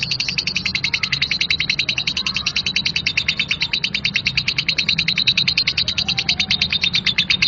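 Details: A lovebird delivers a harsh ngekek chatter, an unbroken, very fast series of grating high chirps repeated at an even rhythm, with a low background hum throughout.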